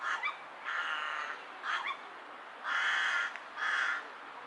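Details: Rook giving a strange call with hiccups: short clipped hiccup notes near the start and middle, then longer harsh, buzzy caws with rich overtones, about five sounds in all, over a steady background hiss.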